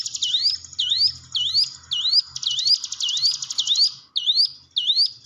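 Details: Hill prinia lure sound: about nine loud hook-shaped rising whistles repeated roughly every 0.6 seconds, with a thin buzzy trill underneath. Used to train caged birds that will not sing.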